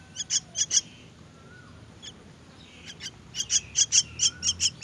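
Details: Begging myna chicks at feeding time: sharp, high, squeaky chirps in short clusters, a pause with a lone note, then a rapid run of about eight loud chirps toward the end.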